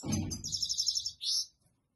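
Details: European goldfinch singing to a female during mating: a high, bright, buzzy trill followed after a short gap by a clipped twittering note, with low rumbling handling noise at the start.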